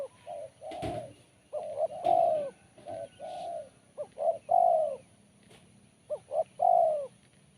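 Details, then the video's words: Spotted dove singing BL Kuk 1 with a crisp, sharp tone. Several phrases of paired short hoots ending in a long, falling coo, with one dull thump early on. "Poin BL Kuk 1 Suara Mersik Tajam"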